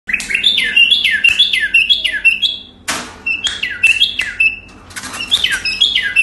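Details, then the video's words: Iraqi bulbul singing indoors: loud, warbled, descending whistled phrases repeated in quick succession, with a steady low hum and some clicks in the background. "Iraqi bulbul bird singing"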